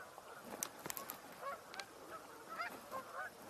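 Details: Geese on a wetland with ducks and a mute swan, October 19, 2024, suddenly vocalizing: several honk in overlapping, nasal bursts, a busy flock chorus with a few sharper clicks mixed in.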